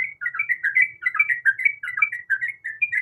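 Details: Sooty-headed bulbul female calling the male, quick bubbly chirping notes repeated in tight clusters, clear and loud for three seconds.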